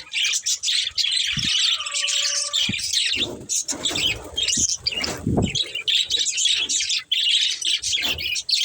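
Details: Budgerigar breeding pair, chirpy chattering in quick bursts with short pauses, high and scratchy, plus a brief steady whistled tone early on and occasional low thuds.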